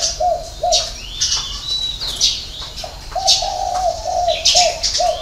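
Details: Spotted dove with a six-note, hậu 3 cooing song: short, low, muffled coos in a broken series over busy high-pitched chirping and twittering from other birds.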